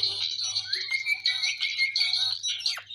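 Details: Indian ringneck parakeet, a green parrot, talking ("Mitthu Mitthu"): raspy, high-pitched chattering voice running almost without break for three seconds over a faint low hum.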